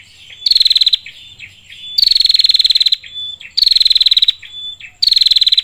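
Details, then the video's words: Female prinia summoning the male: strong buzzing high rattles of about one second, alternating with brief whistled notes, repeated steadily over several cycles. "PRENJAK BETINA [ PANCINGAN PRENJAK BETINA Gacor istimewa suara jernih, Memanggil PRENJAK JANTAN ]"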